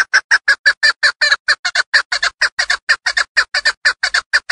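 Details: Female hunting chukar partridge from Darvoz district, Tajikistan: a steady, rapid run of harsh clucking chuk notes, about five per second, each loud and evenly spaced for the whole stretch, with no other sounds.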